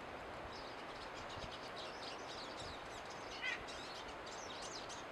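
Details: Pine siskins in a group chorus, giving continuous high twittering with rising and falling chirps. One louder, lower note stands out just past the midpoint, over steady outdoor noise.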